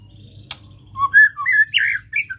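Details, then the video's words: White-rumped shama, its ketrek to stimulate emotion: a sharp click, then a short sequence of clear whistled notes rising to a louder, buzzier flourish over faint hum. "Ketrekan Murai Batu Untuk Merangsang Emosi"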